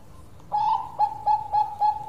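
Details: Long song of a Perkutut Bangkok zebra dove: after brief quiet, evenly spaced soft coos start, each a short rising hoot followed by a held level note, repeated about four times a second.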